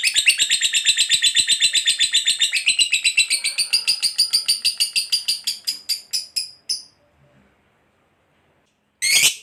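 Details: Lovebird ngekek chatter to provoke other lovebirds: a rapid high rattling trill that slows into separate notes and stops, followed by silence and a brief loud burst at the end.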